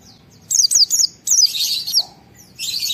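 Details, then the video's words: Excited white-eye song, used to coax other white-eyes to sing: quick high chirps sliding down, then a buzzy, hissing high-pitched rattle, with a second rattle at the end. "Pleci Mental baja EMOSI Tinggi ampuh mancing semua pleci segera gacor buka paruh"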